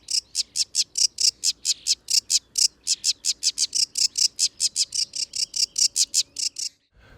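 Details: Sedge warbler song by a ditch or pond with yellow irises at Gibraltar Point, Lincolnshire, others audible behind: a loud, high-pitched, varied chattering run, about five notes a second for nearly seven seconds, over a faint low hum.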